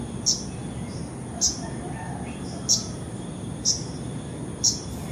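Five sharp, high Arctic warbler call notes, each a short clipped 'tzik', about one per second over a low rumbling background.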